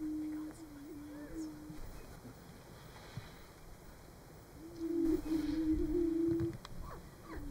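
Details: Greater prairie-chickens booming at a lek (booming ground) in Nebraska in March during mating display, giving low, hollow, humming notes, one near the start and a louder, longer one later, over faint hiss; a meadowlark sings in the background.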